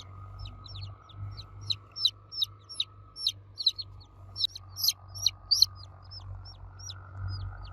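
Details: Baby chicken chicks cheeping loudly for the mother hen: a steady run of high, short, downward-sliding peeps, roughly three per second, some louder than others, over a constant low hum.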